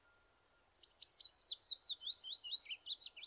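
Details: A Willow Warbler's sweet, liquid song of about fifteen soft notes slides gently down the scale over nearly three seconds, running out of steam at the end without a final flourish; a dawn chorus example in Ireland, May.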